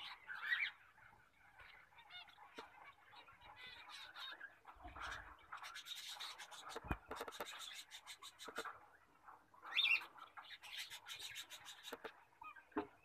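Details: Full orange zebra finch giving loud nasal, honking beeps among softer chattering and rustling sounds.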